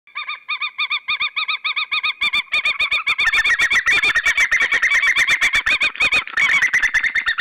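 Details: Eagle pair at their nest in Estonia, recorded 28 February 2013 at a new site nearer the sea, gives a fast series of sharp yelping notes, about four a second, soon joined by a second overlapping voice.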